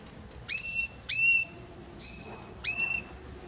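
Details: Belgian canary song of clear whistled notes, each starting with a quick upward sweep then holding a steady high pitch, three phrases with a softer sustained tone between.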